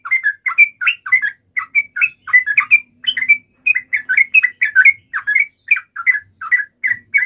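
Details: Yellow-vented bulbul fighting call, played to provoke a bird into answering; continuous string of short, bubbly warbled notes, each rising and falling, steady through the whole stretch with barely a pause.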